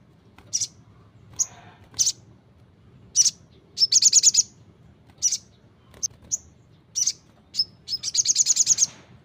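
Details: Brown-throated sunbird in vigorous song: sharp, very high chirps scattered irregularly, with two rapid buzzy trill bursts of about six to eight notes, one midway and one near the end, over a faint low hum.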